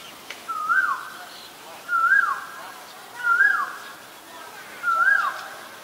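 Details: Common myna recorded with a Nikon P1000 at Ubon Ratchathani, Thailand, February 28, 2022. Four clear whistled calls, each climbing and then dropping, come at a steady pace roughly every 1.4 seconds.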